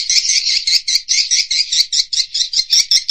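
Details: Swiftlet lure call used by Indonesian swiftlet farmers: harsh, buzzy twittering notes in quick, pulsing succession, about two to three per second.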